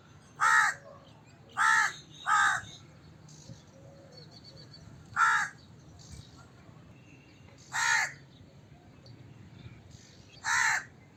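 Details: Crow calling with loud raspy caws, a quick triple at the start followed by single caws every two to three seconds, faint bird twitters behind.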